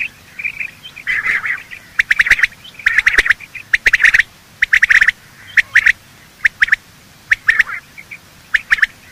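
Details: Morning quail calling, male and female, used for hunting: dense runs of sharp, clipped whistles in rapid clusters, interleaved with raspy chattering notes, continuing steadily through the stretch.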